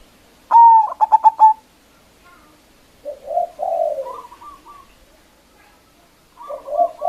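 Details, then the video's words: Zebra dove of a local strain, calling strongly as a lure for rivals. One ringing note breaks into rapid stuttering pulses, followed by soft, low, rolling coos that return again toward the close. "Perkutut Lokal GACOR suara Besar Ampuh memanggil Lawan_EMOSI MANGGUNG PANCINGAN PERKUTUT LOKAL"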